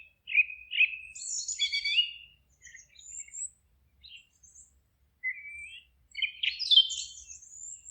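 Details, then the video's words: Forest birds singing: bright, rapid chirped phrases and short trills, a loud run in the first two seconds, a pause, then sweeping whistles and a busy trilled burst near the end. "Forest relaxing sounds of singing birds"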